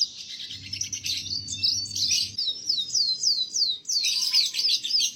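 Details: Masteran song of a canary for training young canaries, with chattering high notes, then a run of falling whistled slurs, and a low hum early on.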